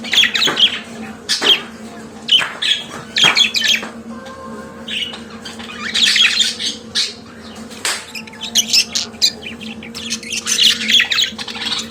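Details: Pet budgerigar chatter: clusters of harsh chirps and clicks alternate with quieter gaps, and a faint sustained tone runs through the middle section, all over a constant low electrical hum.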